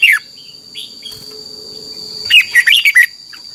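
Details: Red-whiskered bulbul song from Thailand for tutoring young birds: a short note at the start, a long quiet gap with faint soft calls, then a lively run of about six fluty, swooping whistles, under a continuous high hum.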